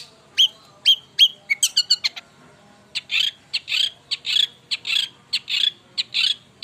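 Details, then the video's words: Very active long-tailed shrike song opening with sharp whistled slurs and rapid clicks, then a pause followed by a run of harsher buzzy, rasping notes repeated roughly twice per second. "Burung Cendet Super Gacor"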